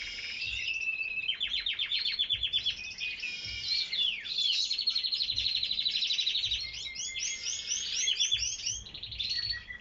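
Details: Canaries singing in an aviary: continuous high rolling trills and rapid repeated notes, several birds overlapping, with soft low background noise.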